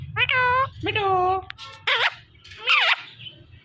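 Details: Green Indian ringneck parrot talking in quick speech-like syllables, several harmonic bursts with bending pitch over low background hum.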